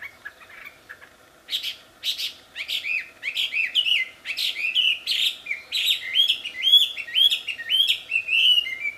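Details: Loud wild wambi song that begins softly, then builds into a rapid, tireless stream of sharp falling whistles. About two notes come each second, growing brighter toward the end.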